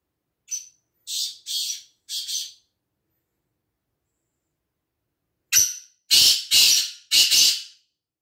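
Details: Black francolin, known locally as kala teetar, gives two rasping call phrases a few seconds apart. Each is a brief opening note and then three loud, scratchy paired notes in a steady beat, against silence.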